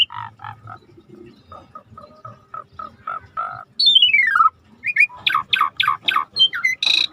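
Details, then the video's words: Starling song in a training recording set to river nature sounds: soft repeated chirps, then a long whistled downslur and a quick series of sharp, loud chip notes over a faint low background. "Jalak Langka Masteran Alam Sungai | Deep Nature River Sound for Starling"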